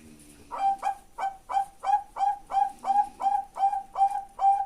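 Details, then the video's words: Bangkok-type zebra dove with a full song in a slow, steady rhythm, a soft low coo leading into a run of about eleven short, evenly spaced, ringing cooing notes. "Perkutut bangkok suara lengkap IRAMA LELAH MANTAP"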